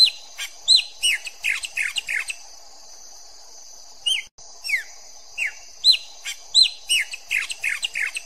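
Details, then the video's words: Chopi blackbird (pássaro-preto, Icteridae) sings its pure song: bursts of loud, clear downward-slurred whistles and chirps in quick phrases, pausing briefly mid-song, over a faint steady high hiss. "PÁSSARO PRETO - Canto Puro bonito de se Ouvir"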